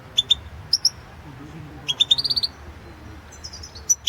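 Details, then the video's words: European goldfinch in a 2016 world championship song contest, giving paired bright chirps, then a rapid string of about six ringing high notes, then a few thin notes and a final chirp. "Pesma štiglića 008/ 2016 Aleksandar Denčić World championship in Goldfinch Song 2016"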